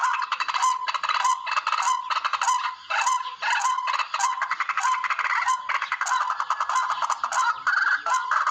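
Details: Barred rail, locally called tikling, its call played as a lure for bird hunting; harsh, honking notes repeated rapidly in dense, overlapping bursts, steady and loud throughout.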